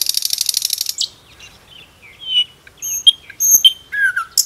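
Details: A common nightingale singing in a forest opens with a fast, dry rattle of about ten notes, then switches to varied high whistles and sharp chirps, each phrase different from the last.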